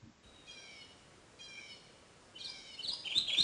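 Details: Kentucky Warbler in the Ozark spring dawn chorus, in shaded moist forest bottoms and ravines, gives three loud, rolling phrases. Each is a quick run of ringing notes about a second apart, with other birds chirping sharply near the end.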